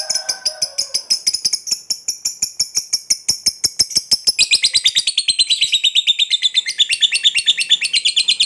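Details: Fighter lovebird in a long ngekek trill aimed at provoking rival birds: a stream of rapid, scratchy high chatter notes that quickens and shifts lower partway through, continuing without a break.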